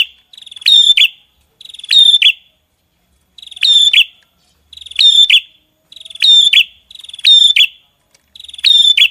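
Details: Lively songbird with repeated high phrases, each a quick rattling trill ending in sharp chirped and whistled notes, seven bursts at steady intervals of a little over a second, clean background with no other sounds.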